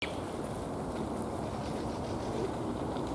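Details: Only a steady low rumble of distant traffic is heard, with no clear animal calls.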